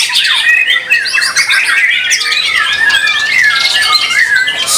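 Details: Competition white-rumped shama song: loud, fluid whistled phrases and long gliding notes mixed with rapid chattering trills, overlaid by other birds singing at the contest.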